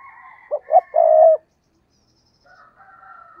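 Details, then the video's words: Decoy spotted dove kept for luring wild doves gives a coo phrase of two brief notes and one drawn-out steady coo, set against a continuous higher, harsher drawn-out background sound before and after. "tiếng cu gáy mồi cây thúc rút bổi căng lửa"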